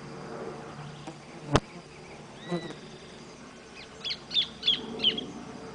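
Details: Orange-breasted thornbird giving four quick, high, clipped notes in an even run near the end, after a sharp click and a brief faint whistled note, over a low constant hum.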